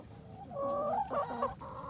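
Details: Chickens on an urban farm in Colorado Springs, some eating a pumpkin, giving a drawn-out, rising and falling nasal call with a few clucks.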